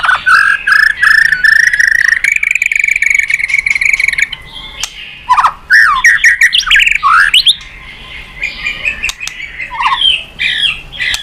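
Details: White-rumped shama with a lively song used to provoke other birds to sing: a sustained rapid trill, then loud swooping whistles and sharp notes, fading into softer scattered phrases.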